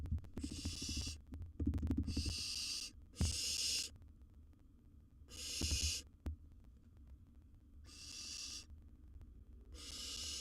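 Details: Wild barn owlet in a monitored nest box, with a large gerbil as prey: harsh, breathy hissing screeches of under a second each, repeated about six times at uneven gaps, over low thumps and shuffling from movement in the box.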